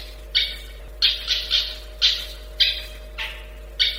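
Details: Long-tailed shrike delivering short, harsh, rasping notes, about seven bursts spaced roughly half a second to a second apart, each loud and abrupt, with a faint steady hum underneath.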